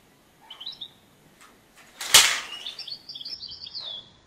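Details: European goldfinch during clap-net trapping; a brief high twitter, then a loud sudden thump and rush of noise, followed by a longer run of bright twittering song.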